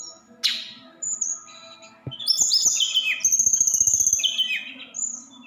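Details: Snowy-browed flycatcher, 'roll tembak' song style for prompting other birds to sing: scattered thin chips, then a loud run of high sliding whistles and a buzzy sustained note, with clicking knocks underneath.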